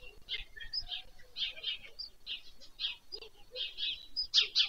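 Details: White stork chicks being fed at their nest on a summer evening, 21 July 2024, in Leliaky village near Pyriatynskyi National Nature Park, Poltava region, Ukraine, captured from a nest livestream. Harsh, raspy bursts come rapidly and irregularly, with softer lower notes between.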